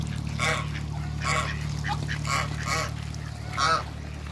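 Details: Pekin ducks, two males and one female, meeting one another give a series of short, harsh, nasal quacks, about five bursts spaced roughly a second apart, over a steady low mechanical hum.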